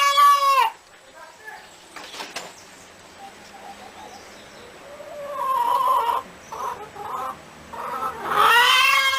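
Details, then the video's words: Chicken sounds: a loud squawk, then soft, low murmured clucks building up, and another loud drawn-out squawk at the end. "Galinha Cacarejando | Galinha Cantando | Som De Galinha | Canto Da Galinha | Cacarejo Da Galinha"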